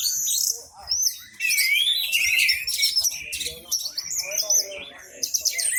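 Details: Orange-headed thrush belting out song with its tail opened, prompting nearby birds to sing too; rising whistled slurs and bright chattering phrases, a short lull near one second, then dense overlapping song resumes.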